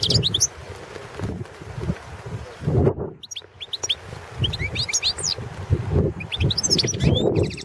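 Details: Competition recording of a Balkan goldfinch song, 2017 world championship held online from Serbia: scattered bright high twittering notes in short bursts with brief pauses, ending in a fine buzzy trill, against steady low-pitched rumble and thumps.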